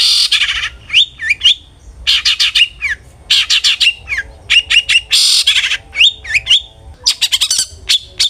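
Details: Long-tailed shrike song used as a lure to provoke aggressive singing: harsh grating bursts interleaved with rapid clicking runs and looping whistled slurs, loud and continuous.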